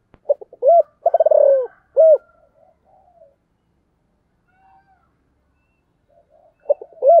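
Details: Spotted dove calling, with the urging phrase: clipped short notes, a full coo, a fast stuttered downward run and a closing coo. Then comes a quiet stretch with faint soft notes, and another phrase starts near the end.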